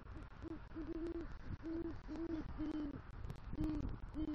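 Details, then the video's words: Low, mellow hoots from a male great horned owl delivering rodent prey to the nest and calling the female, southwest Florida, early November 2023. About eight short notes come in a steady, closely spaced series. "Male GHO Brings Rodent Prey To Nest & Calls For Female"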